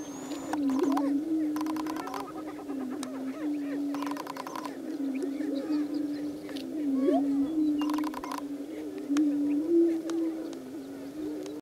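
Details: Lekking male greater prairie-chickens displaying, giving a sustained low hooting tone with scattered whoops, interrupted four times by brief, loud, buzzy rattling bursts.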